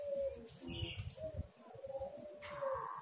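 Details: Spotted dove calling, used as a lure to prompt doves to call: soft, low, hollow coos drawn out in smooth notes, the first near the start and others around one and two seconds, faint against low rumbling background noise.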